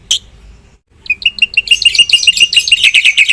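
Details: Black-winged myna singing vigorously: after a sharp opening note and a short pause, a fast run of bright, clipped chirps repeats several times a second, growing louder and denser.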